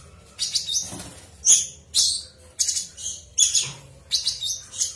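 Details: Cucak cungkok in ngebren song, giving rhythmic high chirping bursts roughly every half second, each short, sharp and buzzy.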